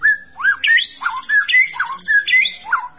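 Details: Long-tailed white-rumped shama song used to stimulate another bird into full song: loud whistled notes swooping up and down, interspersed with rising slurs, over a steady high hiss.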